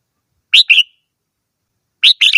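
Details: Red-whiskered bulbul uttering two short whistled phrases of two to three slurred notes, the last one warbling, separated by over a second of silence.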